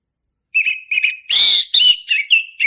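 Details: Male orange-headed thrush singing loudly and continuously: repeated short whistled notes, then a harsh, rich burst of mixed phrases, followed by further sliding whistles, clear and free of other sounds.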